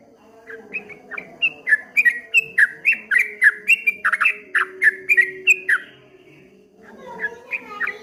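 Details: Streak-eared bulbul singing in a rapid 'ropel ngombak banyu' style: a fast run of short, slurred, down-sliding whistled notes, about four per second, pausing briefly before resuming; faint low hum underneath.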